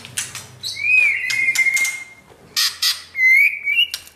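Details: White-rumped shama being trained toward a champion's temperament: long, level whistled notes, one held over a second and another rising slightly, between loud broadband rattling bursts.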